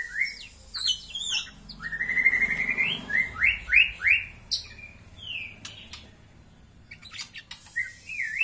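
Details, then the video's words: Female white-rumped shama voice used by breeders to rouse males for pairing: high chirps open, then a run of rising slurred whistles repeated quickly, scattered clicks, and a final upward whistle after a pause. "SUARA PANCINGAN MURAI BATU BETINA UNTUK MENAIKAN BIRAHI JANTAN"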